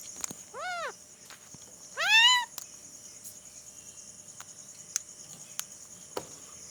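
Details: An Alexandrine parakeet mimics a cat's meow, giving two meow-like calls, a short rising-falling mew and a louder, longer one, over a steady insect hum.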